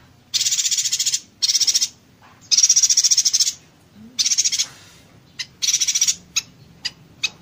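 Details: Yuhina song in the rapid-fire 'konslet tembakan rapat' style, used as a tutor recording for magpie-robins and green leafbirds: five dense, high buzzy trill bursts of about a second each, then a few sharp separate chips.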